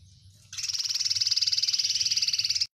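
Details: Oriental white-eye singing, its song described as overflowing with many spicy "isian" filler phrases: one long, fast, even trill of buzzy pulses, high and steady, lasting about two seconds before it stops abruptly, over a faint low hum.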